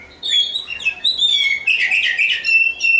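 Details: Champion oriental magpie-robin singing a loud, rich, varied phrase of high whistled and chattering notes, fast sliding whistles mixed with dense buzzy trills, almost continuous for three seconds.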